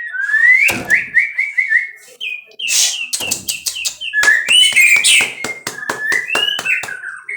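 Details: Captive-bred white-rumped shama giving rich whistled song, rising slurred notes interspersed with dense rapid clicking and a burst of harsh noise.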